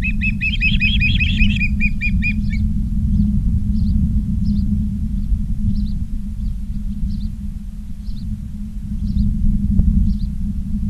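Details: High, rapid piping chirps from Ospreys in Charlo, Montana, on an August 2023 afternoon, a burst of two and a half seconds fading to sparse faint calls, with a constant low-frequency rumble beneath.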